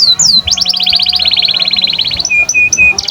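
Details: Canary singing as a tutor recording for young birds and birds that stopped singing: high downslurred whistles, then a long rapid rolling trill of clipped notes, followed by short repeated flat whistles and fresh downsweeps.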